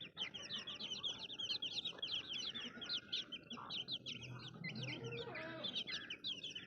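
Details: Young chicks peeping nonstop: dense, high, short chirps repeated rapidly by many birds at once, with faint low rumbling beneath.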